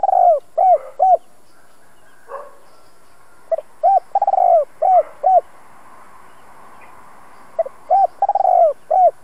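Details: Decoy spotted dove with a two-part ending, used to lure wild doves: three cooing phrases of stuttered rolls, long falling coos and short hooked notes, separated by quiet pauses.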